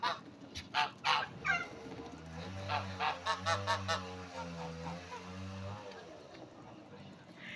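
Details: A domestic male turkey, a breeding bird, displaying and turning to show itself off, gives a few sharp, rattling bursts, then a long, low, droning call with a throaty, wavering tone.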